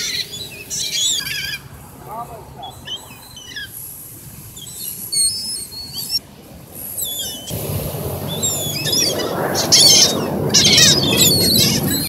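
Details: Gulls flying and being fed bread at Virginia Beach in a light breeze; sharp, high squealing calls overlap in quick bursts, with a steady wind roar in the second half.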